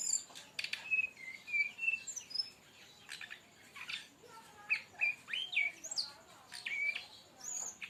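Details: Brown-chested jungle flycatcher giving its tembakan song for masteran training and luring: many short whistled notes, some flat and some sweeping, delivered in quick, uneven bursts mixed with crisp clicking chips.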